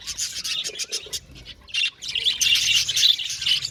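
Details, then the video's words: Budgerigars in an aviary colony chirping together, a dense chatter of short buzzy and squeaky notes in rapid overlapping bursts, with brief gaps before the flock noise swells again. "Beautiful Budgies chirping sound | Budgies talking sound | budgies parakeet sounds"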